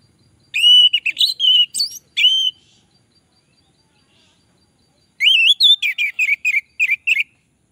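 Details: Orange-headed thrush song used to draw in other orange-headed thrushes: two bursts of loud whistled phrases, slurred notes near the upper-middle range with rising and falling inflections, separated by about two and a half seconds of silence.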